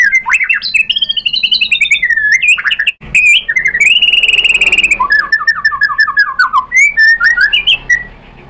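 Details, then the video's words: Heated white-rumped shama, provoked into replying, pours out varied filler phrases. Sweeping whistles and a sustained high trill lead into a falling series of quick notes, then scattered chirps. "MURAI BATU GACOR memancing EMOSI jadi NYAUT BONGKAR MATERI ISIAN"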